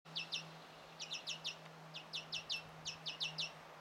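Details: European greenfinch chick being fed by a parent, recorded 1 June 2017: quick high chirps in close pairs and short bursts, repeated about once a second with brief gaps, over a steady low hum.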